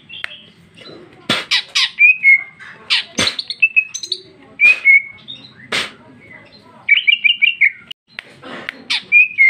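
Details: Female cucak ijo (green leafbird) in full 'gacor ngeplong' song with rich 'isian' fill-ins: loud whistled notes around mid-high pitch, rapid chattering bursts and sharp harsh strokes, phrases broken by short pauses.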